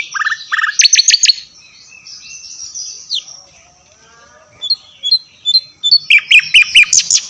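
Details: Tutor song for songbirds blending Javan white-eye and mugimaki flycatcher: quick rising chirps, bright trilled bursts, soft thin warbling in a quieter middle, then spaced short whistles and a chattering run of chirps.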